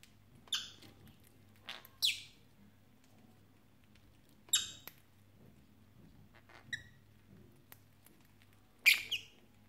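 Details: Young pet lovebirds indoors on Three Kings Day, 6 January 2017, giving a handful of sharp, shrill chirps at irregular intervals, some louder than others, with a faint low hum behind them.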